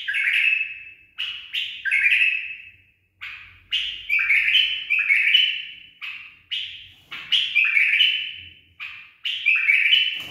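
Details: Tame pet bulbul in a cage singing a trained, polished song: loud whistled and chattering phrases, each a bright falling slur, repeated in bursts about every second with short pauses.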